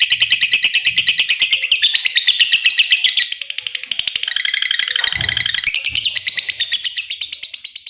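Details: Long laughing call of a fighter laughingthrush: rapid harsh chattering notes pouring out without pause, briefly dipping lower and quieter midway before rising again, with a faint low knock near the fifth second.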